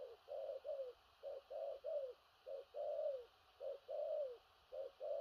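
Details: Large spotted dove giving strong thổ rặc cooing, stuttered gù cà lăm phrases: brisk short low notes alternating with longer coos that curve downward, repeated rhythmically about once a second.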